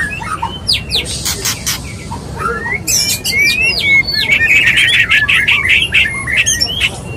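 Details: Courting male white-rumped shama calling to a female: scattered clicks and short whistles, then a loud run of rising whistles and a fast buzzy trill.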